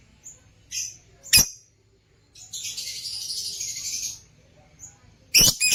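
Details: Caged Lutino opaline lovebirds: sharp piercing shrieks bracket a buzzy, scratchy chatter lasting about a second and a half, with a few soft high chirps between.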